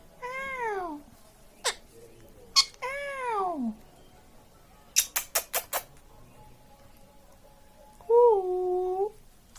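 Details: Pet Indian ringneck parakeet talking indoors: two drawn-out, falling 'ow'-like harmonic cries, several sharp clicks, then a quick run of loud taps, and finally a level, meow-like nasal call near the end.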